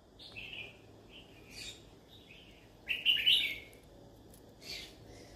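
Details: Yellow-sided conure calling out as if looking for friends to talk to: soft, fairly faint chirps and short slurred notes, with one louder harsh rasping burst midway and a final brief squeak.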